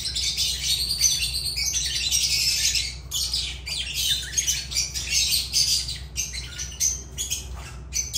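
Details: A nearly unbroken stream of loud, shrill, grating lovebird chatter, pulsing in waves with brief pauses, over a faint low hum.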